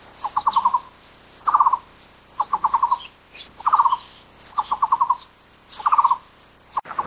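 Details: Taiwan barbet, endemic to Taiwan, calling in a regular rhythm: low pulsed phrases roughly every second, alternating slower runs of six notes with compact fast trills, plus soft higher calls of other birds.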